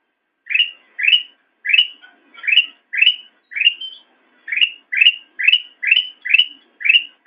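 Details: Black-crested bulbul singing for cage-bird song training, a steady string of about a dozen short, upslurred whistles, each rising sharply and repeated roughly every half second against a silent background.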